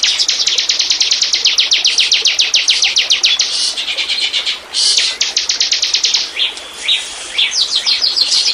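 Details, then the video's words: Bar-winged prinia (ciblek) lure recording meant to attract wild birds: long, fast trains of loud, high, scratchy chipping notes repeated about five times per second, broken by brief squeaky twitters. "burung ciblek pancingan burung lepas"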